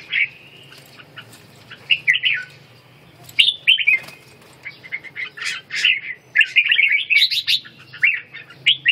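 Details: Red-whiskered bulbul kept in a cage and trained in ché singing while regaining condition: a lively run of quick chirpy, whistled bursts that grows denser in the second half, with light wing flutters and a soft background hum.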